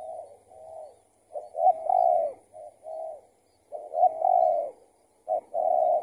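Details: Spotted dove answering a decoy during trapping; the target turned out to be an escaped, tethered decoy bird. Low, mellow cooing phrases, each a short note followed by a longer rolling coo, repeated with irregular pauses.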